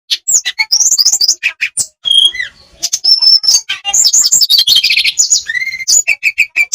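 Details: Olive-backed tailorbird song played as a trainer track to make caged birds sing more and open up their repertoire: rapid, varied run of sharp chirps, high whistled notes and short trills, packed densely with brief pauses, mostly high-pitched.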